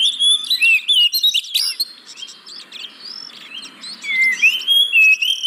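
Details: Oriental magpie-robin (kacer) song serving as a lure for caged birds slow to sing: busy chirping and whistles at the start, a softer lull, then long rising and falling whistled notes.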